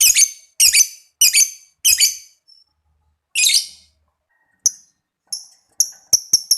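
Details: Lovebird song meant to stimulate other lovebirds: four harsh squeaky bursts in quick succession, a pause, one more burst, then several short thin high chirps.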